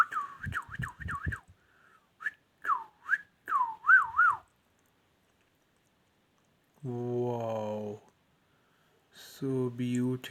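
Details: Indoor ringneck parrot producing rapid repeated looping whistles, about three per second, followed by two buzzy, voice-like harmonic utterances after a pause.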